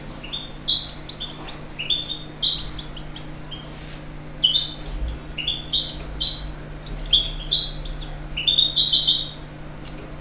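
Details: European goldfinch singing a lively string of high, twittering and tinkling phrases, in bursts with short gaps, over a faint low hum.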